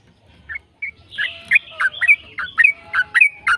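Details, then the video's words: Yellow-vented bulbul in long, rapid 'ropel' song used to prompt other bulbuls to sing: after two brief opening notes, a quick run of bubbling, warbled notes about three to four per second, growing louder. "PANCINGAN TRUCUKAN AGAR BUNYI burung TRUCUKAN GACOR ropel"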